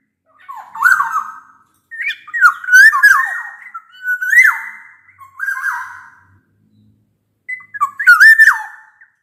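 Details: Series of fluting, bamboo-flute-like whistled phrases from a black-naped oriole, each about a second long with slurred drops, sung to prompt quiet orioles.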